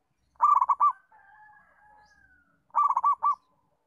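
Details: Local zebra dove song meant for teaching other doves; two phrases of rapid rolling coos are separated by a steady, faint two-tone whistling hum lasting over a second.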